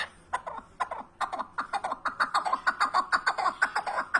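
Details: Partridge (keklik) calling: a rapid run of harsh, chuckling clucks that start sparse, then quicken and grow louder into a steady rhythmic series of about twenty notes, with no other clear sounds.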